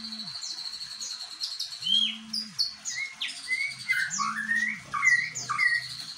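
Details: White-rumped shama singing in imitation of the bar-winged prinia, a mix of high buzzy trills and clear slurred whistles that swoop up and down in quick succession, with a repeated low hum in the background.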